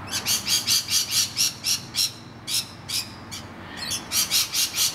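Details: Rainbow lorikeets screeching repeatedly while defending their nest hollow from a noisy miner attack. Quick, raspy, shrill notes come in clustered runs with a brief lull mid-clip, then a renewed burst of rapid squawks.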